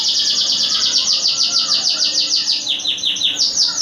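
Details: Contest songbird matched against other birds in training: a loud, fast series of high downslurred notes repeated about three times a second, with fainter calls underneath.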